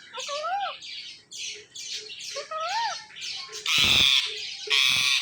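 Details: Pet male Indian ringneck parrot watching videos of itself: two clear arching whistled notes with bright overtones, then harsh broadband screeches near the end, with soft clicks between calls.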